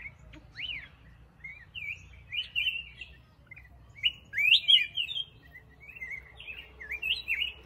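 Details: Black-crested bulbul giving quick, chattering, slurred whistles in tight clusters, some sharply upswept, repeated in lively bursts with a faint low hum underneath.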